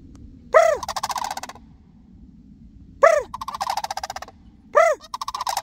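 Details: Three sandhill crane calls, each starting with a clear arched note and running into a rolling rattle, about two seconds apart, in reply to a person calling to them.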